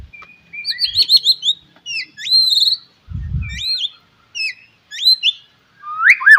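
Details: White-rumped shama in morning song used to stimulate other shamas: clear whistled notes with hooked upward and downward slurs, separated by short pauses, and a brief low thump midway.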